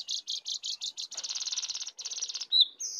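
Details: Contest singing between a wild and a caged sooty-headed bulbul, full 'isian' style: rhythmic high buzzy notes repeated about five times a second, then a fast continuous trill and a sharp whistle.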